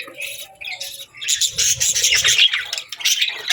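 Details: Morning budgerigar twittering that starts with sparse, thin chirps and then swells into rapid, crowded warbling and chattering, with a low rumble in the middle.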